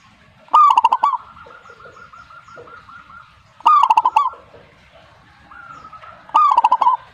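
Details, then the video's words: Zebra dove song: three loud phrases of rapid rolling coo notes about three seconds apart. Between them comes a softer series of evenly spaced, repeated notes, likely from another dove, in an otherwise quiet setting. "suhu perkutut jika nyaut Burungmu bagus berarti"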